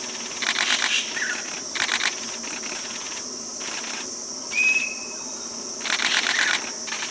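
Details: Common green magpie in Bangladesh: one drawn-out, slightly rising whistle near the middle, set against a loud steady insect drone and repeated harsh buzzing bursts of cicadas.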